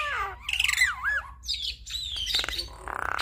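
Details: Javan myna (jalak kebo) in lively full song, used as a master recording for training other starlings: wavering whistles sliding up and down, harsh squawks and rapid buzzy notes mixed together, with faint low hum behind.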